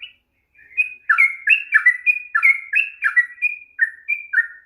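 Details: Sooty-headed bulbul singing in the long rapid 'ropel panjang' style, played to stir a reluctant bird into song: after a brief pause, a lively run of short, sliding whistled notes, many dipping downward, delivered in quick succession with no other sounds.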